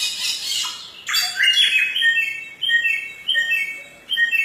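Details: Forest recording of a samyong: a loud, harsh squawking opening gives way to ringing, harmonic whistled notes, repeated in short bursts with brief pauses.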